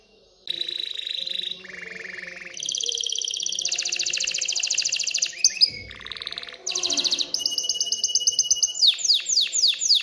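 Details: Agitated canary singing to encourage hens to pair and build a nest; phrases change every second or so, from steady whistles to fast buzzy rattles and falling repeated sweeps.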